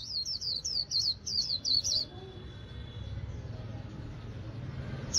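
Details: Caged white-eye kept by a northern Vietnamese bird artisan, singing in the líu style: a rapid run of about seven high, thin, down-slurred whistles over two seconds, then quiet with faint low background rumble.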